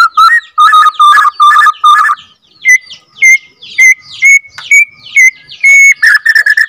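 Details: Captive-bred Borneo white-rumped shama, second generation, singing a long rolling song to rouse other shamas: rapid ringing chattered notes, then a series of clear whistled notes about every half second, ending in a quick burst.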